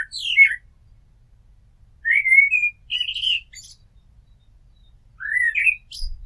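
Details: Blackbird song near a house, made of mellow whistled phrases that slide and warble, opening with a falling note and then separated by quiet gaps of one to two seconds, with faint high squeaky ends.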